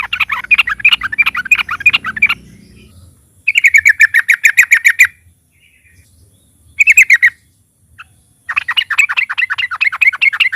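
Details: Yellow-vented bulbul singing loudly to coax other caged bulbuls to sing: bursts of rapid, bubbling chatter alternate with short trills of evenly repeated notes, separated by silent gaps.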